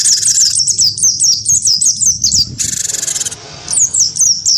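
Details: A wingko-type cinereous tit provoked to fight in song by a white-eye: a quick string of high, curling whistles, a pulsing harsh buzz, then more rising whistled notes.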